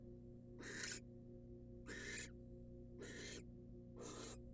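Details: Nest-box recording of a wild female barn owl receiving a rat from the male: four harsh hissing screeches, spaced a little over a second apart, over a continuous low hum.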